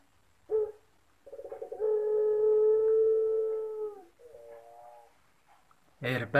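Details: Puter Pelung dove at an online voice contest in Sragen, Indonesia, October 2021: a short note, then a stuttering start into a long sustained coo and a quieter closing phrase, with a burst of human speech at the end.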